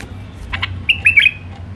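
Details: Wild Iraqi bulbul (White-eared bulbul), refined Alwazi style: a pair of soft chips, then a fast, liquid phrase of slurred whistled notes lasting about half a second.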